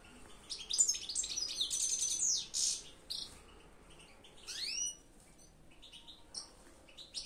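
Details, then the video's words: A European goldfinch sings a lively, jumbled twitter of high chirps and trills, then a short buzz and a few rising swept whistles, with scattered softer notes to finish. "تغريد الحسون"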